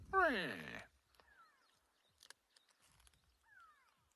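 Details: A go-away-bird alarm-calls behind cover on a hot late afternoon on safari, 30 March 2022, possibly at a raptor overhead. It gives one loud, nasal, drawn-out alarm call, followed softly by thin descending whistles from other small birds.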